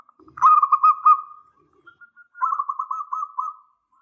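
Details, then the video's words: Local zebra dove singing persistently with a big voice, used as a lure to draw a reply: a rolling, burry coo of rapid pulses that starts with a soft note, pauses, then returns as a second quivering phrase. "Perkutut lokal GACOR suara besar"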